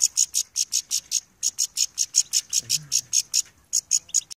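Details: An angry goldfinch calls in a steady series of short, high, buzzy notes, roughly two to three each second, with a brief pause and a faint low thump partway through.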